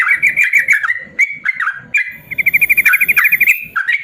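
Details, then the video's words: Yellow-vented bulbul 'ropel panjang' tutor song for lazy bulbuls: bouncy whistled phrases that dip in pitch, then a long, even, fast trill of clipped notes before a closing swoop. "BURUNG TRUCUKAN ROPEL PANJANG"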